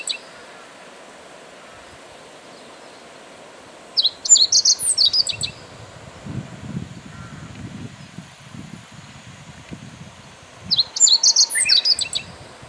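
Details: Meadow bunting singing with neat, upright posture: two bright, rapid phrases of high chirped and twittered notes, roughly seven seconds apart, with low rumbling background noise between them.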